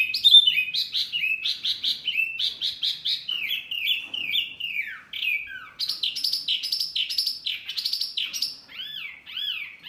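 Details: Indonesian masteran birdsong for prompting healthy caged birds to answer: busy, varied warbling with clustered high notes, a gliding descending phrase midway, then arching whistles repeated near the end.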